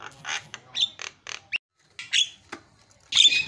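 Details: Asian pied starling, a noisy singer used for 'isian' fill-in song training, giving scattered harsh squawks and short rising whistles with gaps between bursts.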